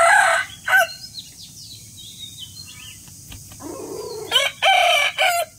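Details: Rooster in the morning, crowing in loud harsh bursts near the start and end, separated by a quiet stretch with faint distant bird calls.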